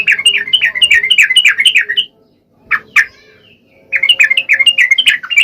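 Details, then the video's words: Yellow-vented bulbul in vigorous full song, a lure for sluggish males: quick bubbly warbled phrases, rising and falling, run together for two seconds, a pause with two short notes, then the chatter resumes. "SUARA KICAU TRUCUK GACOR AMPUH BUAT PANCINGAN TRUCUK MALES"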